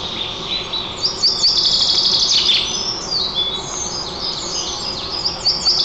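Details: White-tailed eagle (Haliaeetus albicilla) nest, 35 m up, Nizhnyaya Kama National Park, Tatarstan, 27 June 2024: thin, high squeaky chirps repeated quickly in uneven bursts, about three a second, over soft background rustle.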